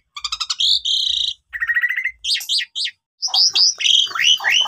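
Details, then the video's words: Asian pied starling song played to spur silent starlings into long, lively song: rapid stuttering trills and a buzzy note, then after a pause a run of sharp descending whistles. "Semua Jalak Suren Yang Lagi Pundung Macet Bunyi Seketika Langsung Emosi"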